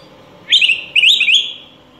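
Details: Critically endangered Araripe manakin from the Brazilian forest giving two rapid, gurgling warbled phrases in quick succession, each made of fluttering up-and-down notes, over faint background hiss.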